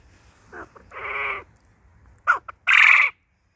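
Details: Male tuxedo quail singing in a garden alongside hens: a soft short note, then two loud, harsh, buzzy bursts about half a second long, separated by a quick stuttered pair of notes.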